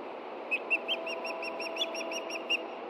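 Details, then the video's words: Osprey at a Montana nest reacting to a threat from the ground on a late June morning, chicks staying put: a quick series of short, evenly spaced whistled chirps over a constant low hiss. "THREAT FROM BELOW! IRIS AND STAN RESPOND!"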